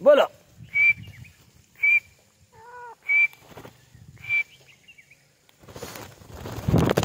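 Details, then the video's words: Female francolin, known as white teetar, repeating short, sharp, high-pitched notes roughly once a second. A separate lower, stacked tonal note sounds in between, and broad rushing noise fills the final seconds. "White teetar ki awaz | teetar voice | teetar sound | Female teetar voice"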